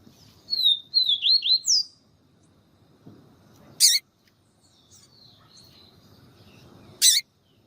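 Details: Papa-capim, the Yellow-bellied Seedeater, in siu siu style song, with a female calling to stimulate the male. A burst of high slurred whistles opens, followed by two sharp, loud clicking bursts a few seconds apart.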